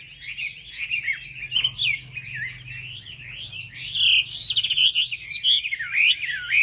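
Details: Wambi song meant to stir up other wambi birds: busy high twittering warbles that build into loud, rapid, bouncing whistled notes in the second half, over a low background hum.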